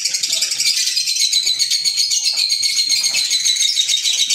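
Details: Pet green Fischer's lovebirds give a dense, rapid, rattling chatter of sharp high squeaks, so fast and overlapping that the calls blur into one continuous shrill buzz.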